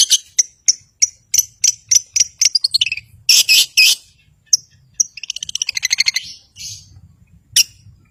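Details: Lively singing long-tailed shrike, used to provoke rivals and silent birds: a run of sharp high whistled notes, grating harsh bursts, thin whistles, then a fast buzzy trill and a final sharp note.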